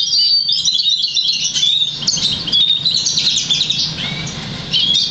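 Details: Crested, 50% variegated black siskin and Russian canary hybrid mule, bred in August 2009 and trained to sing European goldfinch notes, delivering a continuous high twittering song of quick chirps, liquid slurs and buzzy notes over a low background hum.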